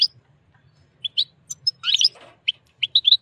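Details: Excited wild European goldfinch beside a white female canary during mating, uttering sharp high tweets and a brief clustered twitter, notes spaced about every third of a second, over a faint low hum.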